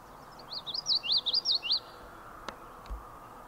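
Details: Male Common Yellowthroat singing at John Brown Farm in the Adirondacks on 26 July 2019. It gives a quick run of high, looping, rolling notes for just over a second, then falls silent. A couple of faint clicks follow over low background hiss.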